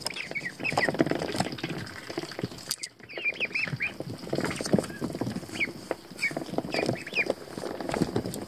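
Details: Young American Pekin ducklings, still without feathers, swimming in a tub of water, giving rapid overlapping high peeps that rise and fall, with splashing and shuffling underneath.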